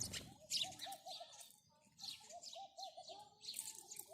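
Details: House sparrow chirps overlap in a busy stream of high notes, mixed with a repeated soft low hooting phrase from another bird nearby.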